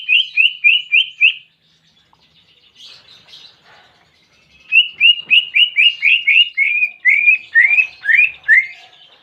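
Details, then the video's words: Greater green leafbird imitating a canary: clear repeated upslurred whistles, a brief pause with soft twitters, then a longer run of rhythmic whistled notes dropping slightly in pitch. "Masteran Cucak Ijo Isian Kenari Jernih"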